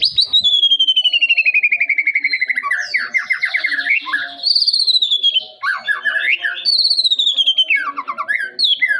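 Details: Young white-rumped shama singing a varied, continuous song: long descending trilled phrases, rich whistled slurs and rapid rattling notes, shifting pattern every second or two, with faint low background sounds.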